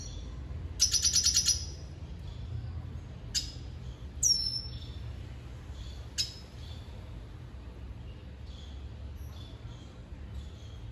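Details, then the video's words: Red siskin singing while dancing with a female: brief bursts of a fast buzzy high trill, sharp clicks and a bright downslurred whistle over a steady low hum. "Red Siskin Singing dancing with female - Pintassilgo da venezuela"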